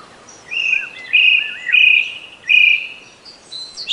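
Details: Black drongo singing: clear, flat whistled notes of even pitch, repeated about every half second to second, with short curling slurs between them and faint higher chirps in the background.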